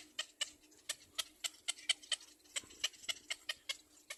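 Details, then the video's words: Baby black-crowned bird trailing its mother, uttering loud, sharp, high-pitched screams in a quick, fairly regular series of about four per second, with a faint steady hum beneath. "Black crowned baby bird behind mother screams"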